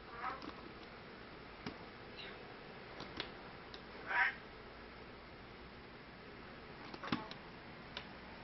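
A crested myna gives one harsh, scratchy squawk among a few faint, scattered clicks and chips over a quiet indoor background.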